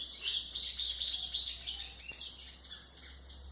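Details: White-throated seedeater, or golinha, recorded as a model song for young birds; a quick string of clear whistled chips followed by buzzy, tumbling twitters, rhythmic and high, with a low hum behind.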